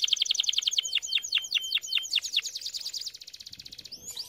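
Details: Canary training song: quick repeated chips, then a series of descending slurred notes, ending in a rapid soft trill and a brief rising note.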